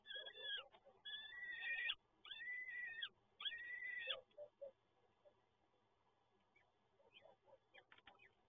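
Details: Peregrine falcon chicks at feeding time in Toruń, Poland, 30 April 2022: a burst of four harsh, wheezing screeches in the first four seconds, then softer scattered clucks and faint squeaks fading toward the end.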